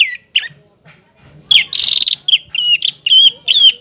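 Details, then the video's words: Greater green leafbird singing vigorously as a lure for young birds: a few sparse whistles, then a harsh buzzy rattle followed by quick, bright slurred whistled notes. "CUCAK IJO GACOR"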